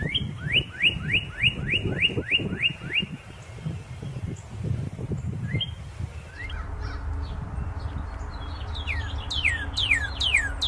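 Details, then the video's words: Cardinal repeating quick falling whistles about ten times, then a stretch of rustling and thumping noise, followed by more rapid downslurred notes mixed with scattered chirps near the end. "suara burung Red Cardinal"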